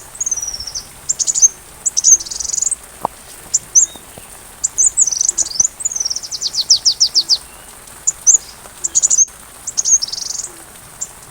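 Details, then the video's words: Sunbird song used to train a white-rumped shama, over rainfall: repeated phrases of very high, thin swept whistles mixed with fast descending ticking trills, one sharp click midway. "Masteran Rajanya Isian Kolibri"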